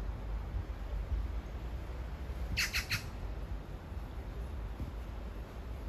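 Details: Magpie calling in what is framed as a love serenade to a partner a few metres away: one short burst of three quick, harsh, rasping chatter notes near the middle, over steady low rumbling background noise.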